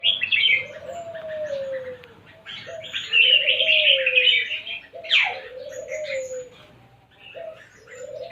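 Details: Lively red-whiskered bulbul song: bright, warbled phrases that rise and fall, sung in quick bursts, alongside a lower, smooth sliding coo repeated about every two seconds.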